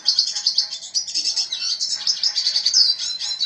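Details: A red siskin delivers dense, high-pitched warbling in a steady 'gacor' flow of buzzy trills and squeaky notes, without a break.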